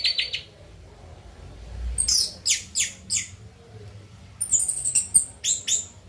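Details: Orange-headed thrush in a cage, singing after being bathed at night. Groups of sharp, descending high chips are repeated in short bursts, separated by quiet pauses, over faint low room noise.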